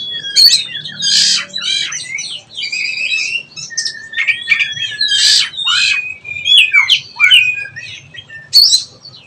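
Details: Oriental magpie-robin juvenile learning ngeplong: harsh buzzy rasps alternating with whistled slurs and sharp click notes in irregular phrases, over faint low background noise.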